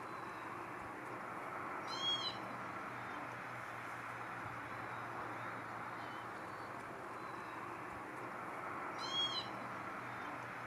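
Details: Northern lapwings calling in flight over trees before landing beside a lake at Langford Lakes Nature Reserve, Wiltshire, UK, in August 2018. Two short, harmonic, downslurred calls about seven seconds apart, set against a steady hiss of background noise.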